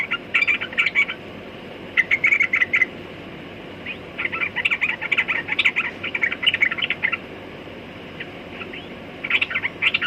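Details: Sooty-headed bulbul delivering lively, chattering song: dense runs of quick, liquid chirps grouped into phrases lasting one to three seconds, separated by brief silences, over a steady low hiss.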